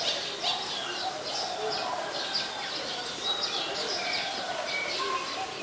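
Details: Olive-backed sunbird recorded at home late on a March 2021 afternoon: quick, high, scratchy chips repeated without pause, set against low cooing and steady ambient noise.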